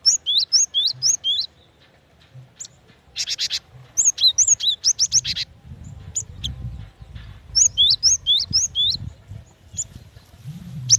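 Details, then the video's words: A female cinereous tit calls for a male in repeated bouts of rapid rising whistles, with harsh buzzy notes and scattered high ticks between bouts. A soft low hum runs underneath. "Suara gelatik batu betina"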